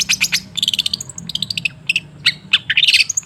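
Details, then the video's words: Long-tailed shrike song played to prompt a quiet bird: mixed chattering, thin high whistles and scratchy notes tumbling quickly, with a low background hum. "Suara TERAPI pancingan cendet macet supaya rajin bunyi"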